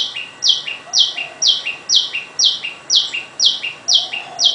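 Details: A small tailorbird in a home garden by day gives loud, sharp notes, each a high note dropping to a lower one, repeated steadily about twice a second; faint background hiss.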